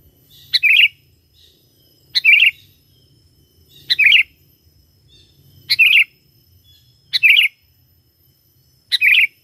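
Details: Sooty-headed bulbul singing, used as a lure to call wild bulbuls: a short, bright bubbling phrase repeated six times at roughly one-and-a-half to two-second intervals, with faint low background rumble.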